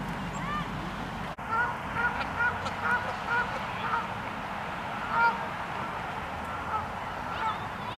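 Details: Canada geese fighting each other on a road, heard at a distance: a steady series of fairly faint nasal honks roughly every half second over a rumbling background of traffic noise.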